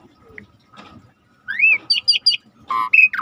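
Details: Starling in a training recording with river sounds: faint scattered notes and low background noise, then an abrupt rising whistle, three quick high chirps and a harsh squawk with a bright whistled ending.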